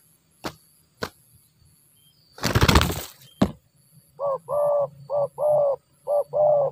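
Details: Wild-caught spotted dove, an aggressive bird that nods frequently, heard after sharp knocks and a burst of rustling or wing noise, then a run of six short, low cooing notes in quick pairs with a faint background hum.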